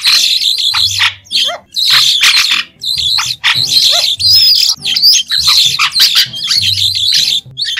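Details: White-shouldered Starling (Sturnia sinensis) gives a dense, chattering song of harsh squeaks, buzzy notes and thin rising whistles, sung almost without pause.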